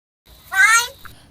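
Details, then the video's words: A pet talking crow mimics Marathi speech with one hoarse, nasal, word-like syllable, rising then falling over about half a second, while being asked its name and whether it likes biscuits. Faint room noise sits beneath it. "बोलणारा कावळा"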